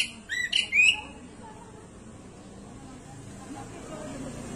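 A sooty-headed bulbul gives a quick burst of two or three bright, slightly harsh whistled notes lasting under a second, followed by quiet background hiss.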